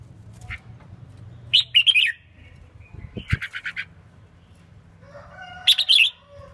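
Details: Female red-whiskered bulbul, caged, singing to excite males: three separate bursts of quick warbled notes, the middle one a rapid string of five short repeated chirps, plus a low knock and steady background hum.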